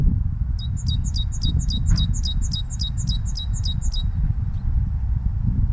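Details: In spring, a great tit repeats a bright, high two-note phrase about three times a second for nearly four seconds over a steady low rumble of wind or distant traffic.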